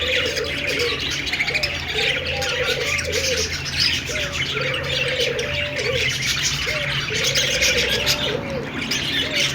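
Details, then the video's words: A group of budgerigars keeps up busy overlapping chirps and warbled twitters without pause. A lower humming tone swells and fades about every two seconds in the background. "Budgies sounds /love birds sounds/budgies singing/parakeets chirping sounds"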